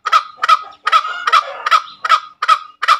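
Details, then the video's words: Brief burst of a green junglefowl's ngekek call: eight rough, cackling notes in three seconds, tightly repeated. "SUARA AYAM HUTAN NGEKEK SUPER MERDU"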